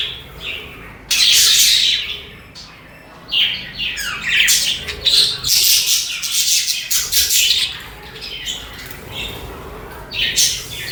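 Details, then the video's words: Several budgies, also called parakeets, singing and chattering: dense bursts of scratchy chirps, rapid warbled notes and short squawks, nearly continuous from the first second with brief pauses, bright and high-pitched. "Peaceful Chirping Sounds"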